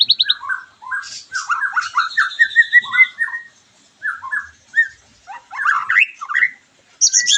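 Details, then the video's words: White-rumped shama, song used to stimulate a bird after moulting; mid-pitched chattering and warbled notes, a long steady whistle in the middle, uneven phrases with pauses. "PANCINGAN MURAI BATU BERES MABUNG LANGSUNG NYAUT,PENAMBAH EMOSI DAN BIRAHI"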